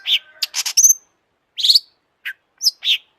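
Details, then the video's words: Long-tailed shrike in lively lure song for other shrikes: scattered raspy chirps, a quick high whistle and short harsh bursts, irregularly spaced. "kicau burung cendet gacor FULL EMOSI,, untuk PANCINGAN CENDET AGAR BUNYI jadikan BURUNG PENTET GACOR"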